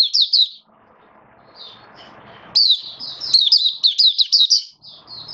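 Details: A captive Oriental white-eye sings high, thin twittering phrases, opening with a brief burst, then a longer run of quick rising-and-falling notes over faint background noise.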